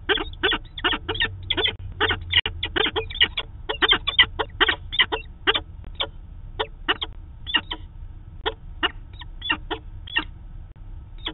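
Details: Daily meeting of a peregrine falcon pair filmed by a live cam in Manchester, New Hampshire, 2 September 2018: a long excited series of grating chupping notes, dense at first, then thinning to spaced single calls, low hum throughout.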